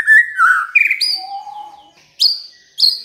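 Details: White-rumped shama giving clear sliding whistles, a long low steady note, then two sharp high upward-flicked notes spaced apart.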